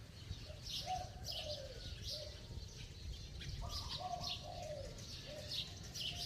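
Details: Spotted dove cooing with a ringing, bell-like voice: low soft coos around two notes, each phrase ending in a falling slur, repeated twice, over constant high-pitched chirping of other birds and low rumbling noise.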